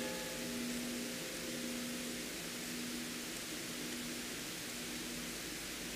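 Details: Steady hiss with a faint mechanical hum, like air conditioning in a room.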